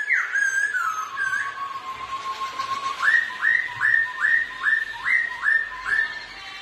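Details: Two black-throated laughingthrushes sing against each other while dancing. Loud, clear whistles open with a long falling slide, then a steady run of seven rising-and-falling whistled notes, about two each second. Faint hiss is in the background.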